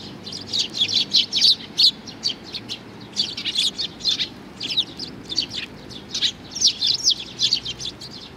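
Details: Young sparrow in June 2019, giving rapid high, thin chirps in uneven bursts, about two or three a second, some notes doubled, with soft low background hum throughout.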